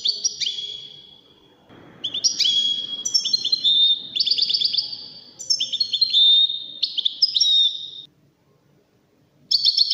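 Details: European goldfinch song played for teaching goldfinch chicks and hybrids: bright high twittering phrases with liquid trills and short buzzy notes, broken by brief pauses and a near-silent gap before a final burst.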